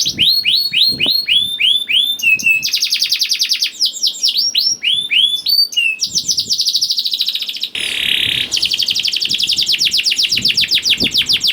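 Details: Lure song of a young canary, used to get hesitant canaries singing: quick looping whistled notes, then a long stretch of dense rapid trilling with a harsh rasping section in the middle, sung almost without pause.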